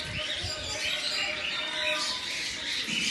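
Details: Albino cockatiels with red eyes greeting the morning with chirps and flutters; a dense, continuous wash of high chirps and squawks from several birds overlapping throughout.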